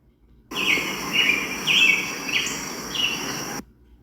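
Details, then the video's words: An American Robin sings its song: five short, clear whistled phrases, rising and falling at a quick pace, over a steady background hiss. "that's the American Robin song"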